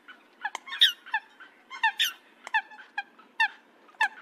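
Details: Coot call used for hunting, given as short, sharp squeaky notes in irregular bursts, some doubled, separated by brief pauses, with nothing else clearly heard.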